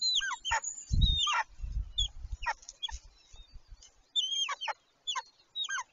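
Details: Golden eagle pair copulating on the nest in late March 2023, just before the second egg is laid: repeated high, downslurred yelps, several quick notes, and a burst of low rumbling and scuffling partway through.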